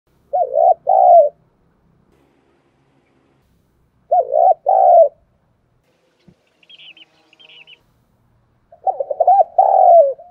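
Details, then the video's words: Spotted dove used as a decoy to train young birds to sing, giving loud cooing phrases of arched notes around three seconds apart, with faint higher chirps from another bird in the gaps. "Tiếng chim cu gáy kích bổi nhanh nổi hiệu quả, cu gáy mồi luyện bổi nhanh gáy và hay nhất"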